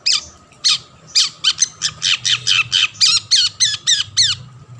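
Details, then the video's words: Long-tailed shrike repeating harsh chattering notes, about three and a half per second, each with a downward slur at its tail, in a song meant to lure other shrikes into singing; faint low hum behind. "burung cendet gacor ampuh‼️ memancing cendet lain ikut bunyi"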